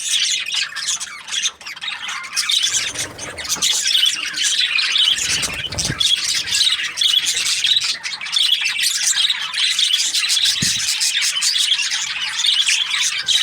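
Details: Happy budgerigars chirping in a continuous dense chatter of high, scratchy warbles and squawky notes, with steady busy overlapping calls throughout.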